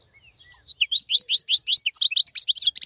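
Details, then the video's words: Wild 'khalawi' European goldfinch in full song while other birds moult; a dense, fast stream of bright, chirpy notes and tiny trills, evenly spaced and steady throughout. "تغريد افضل من كل تغاريد طائر الحسون الخلوي"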